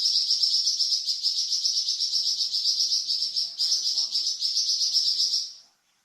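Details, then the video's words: A Flamboyan bird sings a varied song meant to tutor cucak ijo and magpie robin: one continuous, rapidly pulsing high trill lasting over five seconds, then fading to silence. "Suara variasi burung flamboyan untuk masteran cucak ijo dan murai batu"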